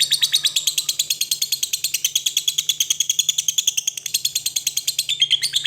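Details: Lovebird in a sustained ngekek: an unbroken, fast, rattling chatter of harsh, high pulses, roughly three per second, running the whole length with steady loudness and a faint low hum beneath.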